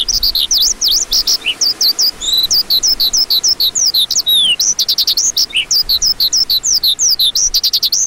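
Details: Lark singing a long, hurried sequence of high whistled slurs and chirps, some notes descending steeply, ending in a rapid run of short clipped notes.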